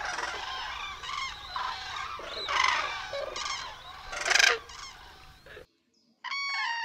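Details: A large flock of Common Cranes at the Milicz fish ponds, Barycz Valley, Poland, landing in shallow water after dark, gives loud, rolling trumpeted calls overlapping into a dense chorus, then falls briefly silent before one clear bugling call.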